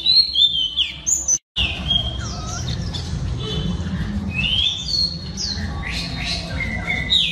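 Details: Female oriental magpie-robin singing to stimulate males: a lively run of bright whistles, chirps and slurred notes with one brief dropout, backed by steady low-pitched background noise.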